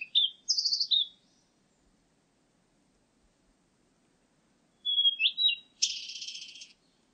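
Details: Blue-and-white Flycatcher delivering bright, high whistled phrases with slurred notes, a pause of several seconds, then more whistles ending in a harsh buzzy burst; faint low rumble underneath.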